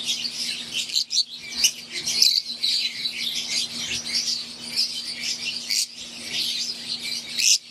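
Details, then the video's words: Aviary flock of wild-type green Fischer's lovebirds with Euwing lovebirds, chattering busily: crowded high chirps and sharp squawks overlap continuously, with brief dips in the din and a faint constant low hum. "Wild type Fischer green & Euwing | Relaxing Sound | Birds Chirping"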